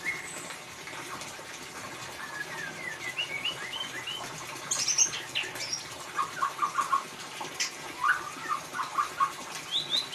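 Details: White-rumped shama in the ngeriwik singing style, used as a lure to draw song from a silent bird: scattered whistled notes at first, then louder bright chattering bursts and sharp high notes over steady hiss.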